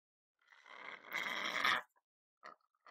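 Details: Pet lorikeet kept indoors, recorded in a kitchen: one long, harsh, raspy screech of just over a second, followed by two short, rough chirps after brief silences.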